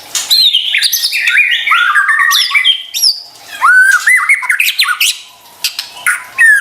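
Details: White-rumped shama lure song meant to prompt stressed or quiet birds to answer: dense varied whistles and warbles jumping between pitches, with harsh squawky notes and brief pauses.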